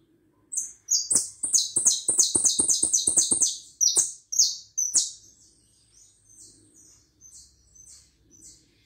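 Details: Hooded siskin pours out a fast run of high, buzzy chattering notes for about four seconds, then tapers into soft, thin, scattered twitters.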